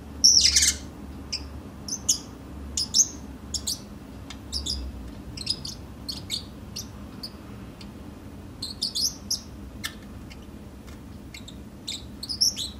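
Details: A pet Pacific parrotlet, just woken up, gives short, sharp, high chirps and squeaks in irregular bursts, with a soft indoor hum beneath.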